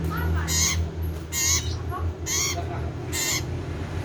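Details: Common iora, kept as a cage bird in Indonesia, singing loudly: bright whistled notes with harmonic stacks in short bursts about once a second, over a steady low hum.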